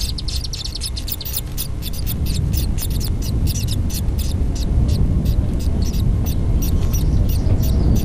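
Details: Chimney swift hatchlings being fed mouthfuls of small flying insects by their parents; rapid high, raspy chittering bursts, several per second and fairly steady throughout, over a constant low rumble.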